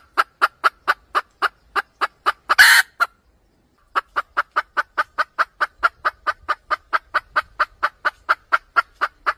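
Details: Trapping red junglefowl hen cackling at length: long runs of rapid, even clucks, broken once by a loud harsh squawk and a short pause, then resuming steadily.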